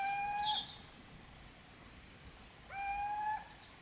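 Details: A Little Owl in Podedwórze commune, Poland, on 2 November gives two drawn-out mewing calls with a slight upward lift, about two seconds apart, against a quiet background.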